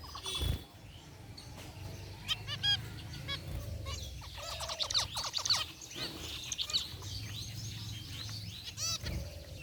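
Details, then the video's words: Caged zebra finches in an aviary, a group including a white bird, give scattered nasal beeping calls, a few clustered in short runs, over a steady low hum and background noise. "Cute Zebra Finches in Aviary | Relaxing Bird Chirping Sounds"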